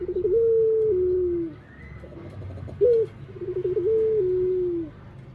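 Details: Cooing Barbary dove, two long rolling phrases that start with a quick trill, hold a steady tone and slope downward, separated by a short emphatic rising note; low background hum throughout.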